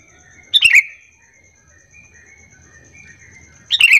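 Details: Sooty-headed bulbul lure call intended to set other bulbuls calling in reply: a sharp chirping burst, faint soft notes in between, and another burst at the end over a low background rumble.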